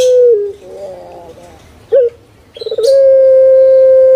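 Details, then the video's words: Puter pelung, a pet dove prized in Indonesia, especially Java: a brief falling coo, a soft rolling gurgle, a short sharp note, a rapid stutter and then a long, even, held hoot. "PUTER PELUNG MANGGUNG"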